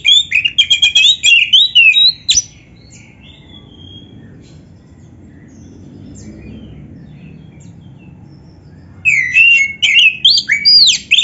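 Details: Oriental magpie-robin song used for training and for baiting other magpie-robins to respond. Rapid twittering and whistled phrases open the clip, followed by a long quiet stretch with faint background hiss, then a fresh burst of sharp rising whistles.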